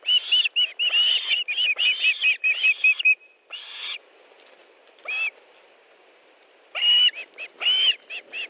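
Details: Osprey calling at its Estonian nest as fish arrives, 1 August 2013: a fast burst of whistled chirps, then a quiet gap, then a few more loud piping calls near the end.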